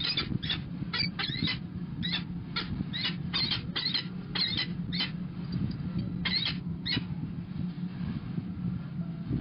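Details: Peregrine falcons at the nest as the female arrives, 29 April 2021, give harsh, rasping calls in quick bursts of two or three, repeated through the clip over a steady low rumble of wind and hum.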